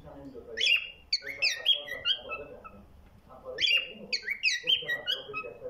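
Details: Cockatiel (Nymphicus hollandicus), song.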